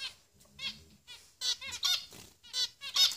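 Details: Three finch nestlings beg with shrill, wavering high squeaks, each burst lasting a fraction of a second and coming about once a second, with faint low rustling between.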